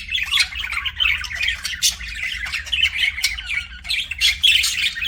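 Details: Pet budgie chattering nonstop, harsh squawky notes and quick high chirps rising and falling in short bursts, with a low background hum.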